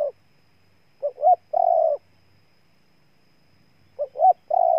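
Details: Cooing spotted dove recorded in Ninh Thuận, Vietnam: two clipped rising notes and a sustained even coo, the three-part phrase heard twice with silence between.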